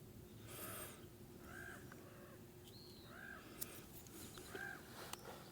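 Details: Common ravens calling in the background during a morning hike down to the Spokane River; three hoarse, arched croaks spaced about 1.5 seconds apart over a low outdoor rumble, with a few sharp clicks.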